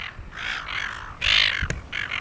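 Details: Silver Gulls on Penguin Island off Shoalwater, Rockingham, a pair among abundant gulls: harsh, broad squawking calls in short bursts, one louder strident squawk midway, then two further rasping notes.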